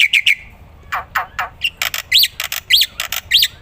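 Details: Active song of a black-winged myna, recorded for tutoring other songbirds: brief high whistles, downward harsh rasps, and upswept whistled notes mixed with broadband squawks.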